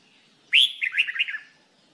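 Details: Red-whiskered bulbul being trained to sing, producing one rich phrase of a strong rising opening note followed by a rapid series of rolling, chirpy warbles that fade out.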